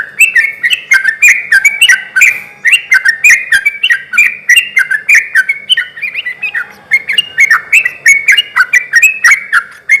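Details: Continuous lively song of a sooty-headed bulbul, intended to excite reluctant bulbuls into answering. Rapid, jumpy chirping notes pour out without pause for ten seconds, with faint background hum.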